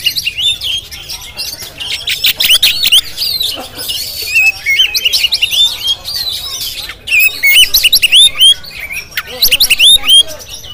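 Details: Jampang-type Oriental magpie-robin kept in a cage, recorded on a GoPro, pouring out rapid, rich song: clear upslurred whistles mixed with harsh buzzy notes and fast chattering trills, nearly continuous with short breaks.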